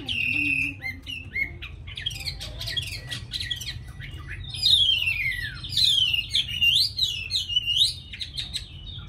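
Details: Tame Chinese hwamei noted for a very fine voice: a long whistled note, scattered clicks and rattles, then a loud run of sweeping, zigzagging whistles that rise and fall.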